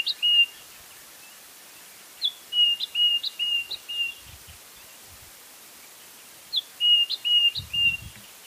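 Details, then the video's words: Repeated phrase of a White-browed scrub robin, one of several individual call variations: a run of short level whistles with sharp upward flicks, given twice about four seconds apart over a steady background hiss. "7 White browed Scrub Robin calls"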